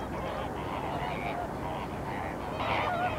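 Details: Short burst of massed flamingo honking at the Larnaca salt lake in Cyprus, the nasal goose-like calls overlapping, with a few clearer notes near the end.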